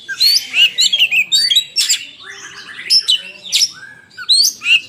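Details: Fighting Oriental magpie-robin singing loudly: a dense stream of sharp whistles, buzzy rasps and quick slurred notes, with piercing high accents spread across the phrase.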